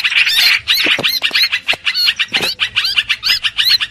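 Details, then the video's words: Streak-eared bulbul recorded as a trapping lure: distinct curved, whistled notes given in quick clusters, several rising-then-falling phrases clearly separated near the end. "Tiếng chim hoành hoạch mồi chuẩn"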